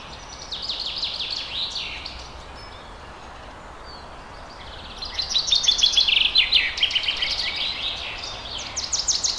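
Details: Woodland birdsong with rapid falling chirp series early on, a lull, then a denser, louder burst of sharp repeated high notes from several birds, set against soft broadband forest noise.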